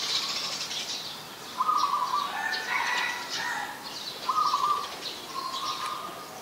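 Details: Adult chestnut-headed bee-eater in Ubon Ratchathani, Thailand, 13 February 2021: short rolling, buzzy trilled calls around mid pitch, a first burst near two seconds and another near four and a half, with fainter higher notes and light background hiss.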